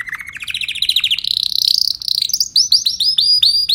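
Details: Timbrado canary singing a rapid series of trilled phrases that climb steadily in pitch, then switching to clean, upswept whistled notes repeated about five times a second.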